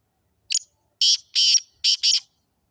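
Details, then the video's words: Sindhi black francolin (kala teetar) calling: a short harsh note, then four loud grating, buzzy notes in two quick pairs over about two seconds, against a silent background. "Sindhi Kala Tetar ki Awaz | Such Subhan Teri Qudrat | Kala Teetar Voice 2023"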